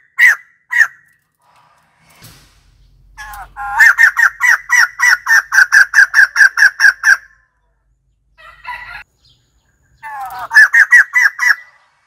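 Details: White-crested laughingthrush (Garrulax leucolophus), call.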